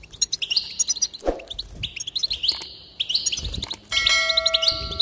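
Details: Goldfinch song used to encourage singing: rapid tinkling twitters and short buzzy trills high in pitch, broken by a low thump near the start and a steady electronic tone with harmonics in the last second.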